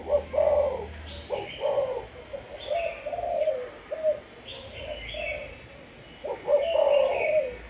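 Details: Caged Malaysian spotted dove used as a decoy, sấm thổ coo style: deep, rounded coo phrases repeated every few seconds, overlapped by short, bright chirps from other birds nearby.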